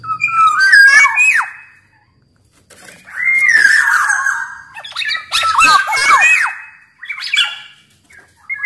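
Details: Black-naped oriole from Sumbawa, a large-bodied kepodang, singing as a master song to lure and train caged birds; loud fluid whistled phrases with slurred rising and falling notes, broken by short pauses.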